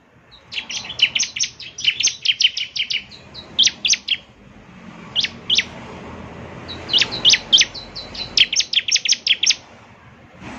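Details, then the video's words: Bar-winged prinia song played to get a caged bird singing, quick runs of high, thin chirps and scattered single notes over a soft background hiss. "Pancingan Ciblek Semi Gacor Agar Bunyi..!"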